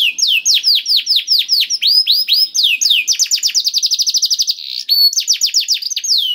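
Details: Canary song used as a lure to coax a reluctant canary into singing: fast, varied tours of bright descending whistled notes, shifting into rapid trilled bursts and rising swept phrases, loud and continuous without pause.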